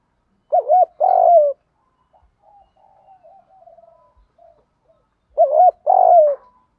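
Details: Calling decoy spotted dove, urging 'gù thúc' voice, gives two low coo phrases, each a wavy two-part lead-in followed by a long sinking coo, separated by soft quiet murmurs.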